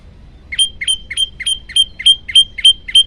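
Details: Olive-backed tailorbird song recorded as a master for training birds: an even, steady series of about ten piercing, high chip notes, evenly spaced at roughly three per second, against quiet background.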